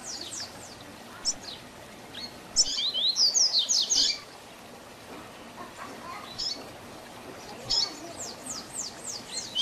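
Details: Double-collared seedeater giving the Tui Tui Zel Zel song used to train young birds: scattered high chips, a rapid burst of sharp whistled notes, then more intermittent chips and a short closing flurry.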